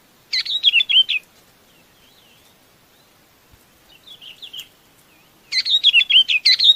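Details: Chinese babax calling its flock: a burst of fast, slurred, chattering notes, then a quiet gap with faint softer phrases, then another loud run of rapid squeaky notes at about three per second.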